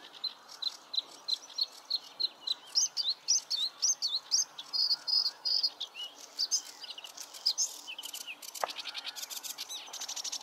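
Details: A bluethroat at Klingaväl, 16 May 2022, delivers a fast, varied run of high chirps and ringing notes, ending in rapid buzzy trills, over a soft background hiss with one sharp click.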